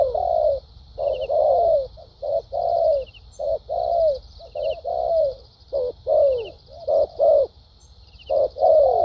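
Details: Spotted dove in Vietnamese 'bài bản' song with 'thúc gù' and 'lèo dặm' phrasing: an uneven run of short and long low coos, some drooping at the end, over a continuous high buzzing background.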